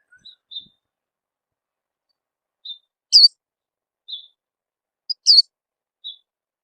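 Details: Lure call of an Oriental white-eye, played to coax young birds into song: sparse soft high notes with two louder, buzzy chirps about two seconds apart, otherwise silent.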